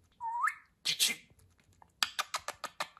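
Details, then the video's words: Pet budgerigar talking: a rising whistled note, then a burst of raspy broadband chatter, followed by a quick series of six sharp clicking syllables. "Konuşan Muhabbet Kuşu"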